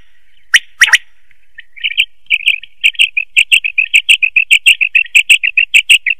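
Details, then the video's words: A quail calls at night in a fast, steady run of short, bright chirping notes, about five or six a second, after a few sharp clicks at the start. "batair ki awaz"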